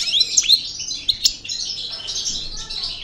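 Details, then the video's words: European goldfinch of the parva form, Algerian El Bordj type, just out of moult, singing: a short burst of high twittering notes with bright upward sweeps, then a softer sustained chattering trill. "Chardonneret Parva Cravaty D'el Bordj Sortie De Mue Repassage"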